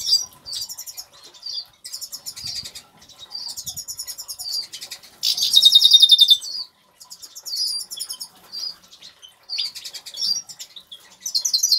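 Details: Aviary-kept agate Major goldfinch singing a long, rambling twitter of rapid tinkling notes in bursts, broken by a loud buzzy trill near the middle and more trilling at the end.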